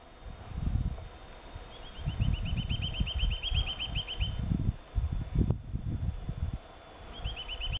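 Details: Eurasian nuthatch (Sitta europaea) singing a fast run of about fifteen clear, down-slurred whistled notes, then starting another run, over a heavy low rumble of wind or traffic.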